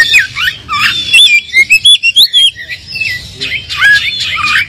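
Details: Oriental magpie-robin song used to goad an unexcited bird into answering: varied whistled slurs, then a quick series of loud clipped notes, followed by softer wavering whistles.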